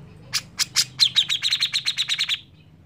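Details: Energetic grey-cheeked bulbul song meant to draw other birds into singing: three rasping notes lead into a fast string of around ten sharp, high chirps, with a faint low hum underneath.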